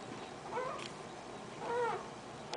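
An Eclectus parrot gives two soft, mellow cooing notes, each gently rising then falling, about a second apart, over a quiet room.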